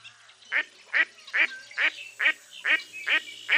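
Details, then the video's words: Series of loud, reedy quacks from a mottled duck, more than two per second, each note sharp and buzzy, with a faint background rustle. "Mottled Duck Call"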